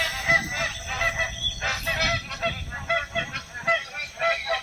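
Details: Magpie geese filmed in the Northern Territory, a flock honking together: overlapping nasal, harmonic honks in a dense chorus, with brief pauses and a constant low rumble beneath.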